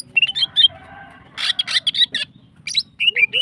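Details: Energetic female greater green leafbird singing to stimulate other birds: quick whistled notes, a harsh buzzy rattle, then more bright whistles and chirps in quick succession over low background noise.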